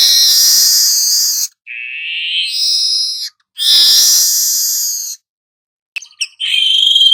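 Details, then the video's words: Golden-headed weaver song for training other songbirds: long, loud sizzling buzzes alternate with a lower wavering whistled tone, closing with quick chips and a rattle. "suara manyar kepala emas cocok buat Masteran"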